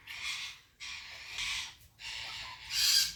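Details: African grey parrot giving harsh, breathy rasping calls, four broad hissing bursts in about three seconds, each roughly half a second long, the last the loudest.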